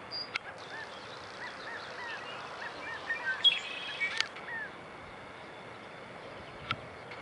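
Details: California quail calling: a run of soft arched notes, then a louder burst of sharp, harsh-edged calls near the middle, with a lone click near the end over steady outdoor hiss.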